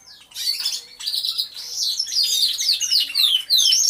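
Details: Group of canaries singing inside an aviary: short bursts of high chirping trills, then a sequence of quick downward-sweeping notes repeated several times a second.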